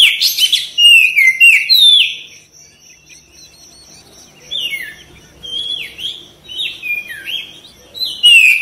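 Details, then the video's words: Energetic white-rumped shama song: a loud opening flurry of sweeping whistles, a quieter pause with a faint steady tone behind, then repeated downward-slurred whistled phrases building back to a bright finish. "KACER CEPAT RESPON GACOR"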